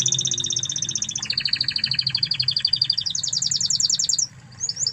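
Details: Spanish Timbrado canary from Spain singing a master song for tutoring canaries: clear rapid trills that drop sharply in pitch, roll on steadily, then climb to a high bell-like tour before brief chirps.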